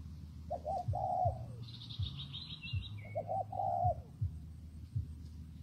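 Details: Two coo phrases from a spotted dove in rainy, windy conditions, each short notes then a long falling note. A brief high chattering bird call comes between them, with a low droning background.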